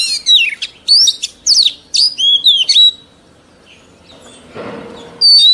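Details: Oriental magpie-robin, an old wild-caught bird, delivering rapid clear whistled notes and sweeping slurs in quick succession, then a pause with faint background noise and a final high whistle; song used to tutor young birds.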